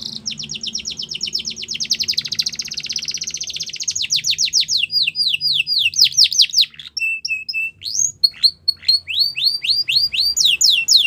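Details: Russian canary singing a training song: a long buzzy rolling trill, then repeated clear sweeping whistles, a few short steady tones, and varied rapid downslurred phrases to the end.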